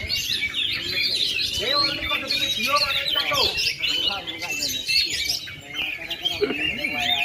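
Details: Oriental magpie-robin, unmolted for 2.5 years yet in full song, giving bright varied whistles and chatter, joined midway by lower sliding whistled tones and some background voices.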